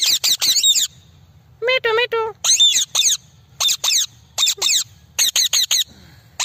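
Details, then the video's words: Parrot producing a rapid series of shrill, screechy squawks in bursts, with one wavering, warbled vocalization in the middle that sounds almost like chattering speech. "The call of the parrot is sweet"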